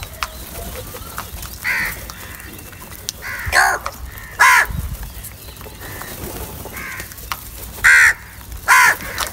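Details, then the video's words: Crows fighting over cheese give harsh, hoarse caws. Four loud ones come in two pairs spaced irregularly, with quieter caws from other crows in between and a low background rumble. "Crow Sounds and crow eating videos | Crow fight for cheese and Salty"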